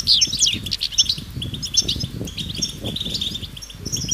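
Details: European goldfinches twittering together in the open, mating and readiness calls said to break a male's silence; scattered sharp chirps and short trills, somewhat sparser, with steady low rumble behind.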